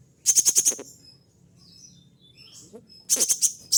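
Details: Caged kolibri ninja showing off copied calls: a rapid run of five or six sharp, high chipping notes, a pause with soft thin whistles, then another fast burst of the same shrill ticks.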